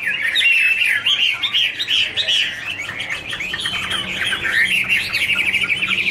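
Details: Chinese hwamei (Garrulax canorus) duetting and dancing with wing flicks, a fast, busy warble of short whistled and chattered notes, about three a second, mixing slurred whistles with rougher buzzy fragments in an unbroken flow.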